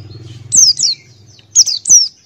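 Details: Open-beaked male Buxtoni white-eye in ngalas-style song: two bright, falling high chirps, then three more in quick succession, after a brief low buzzing hum.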